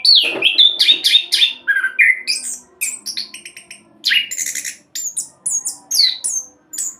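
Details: Orange-headed thrush, a caged bird with a Salatiga ring, singing a fast non-stop roll song used as a lure to make other birds sing: dense varied phrases of slurred whistles, buzzy notes and sharp chirps, mostly high-pitched, with few pauses.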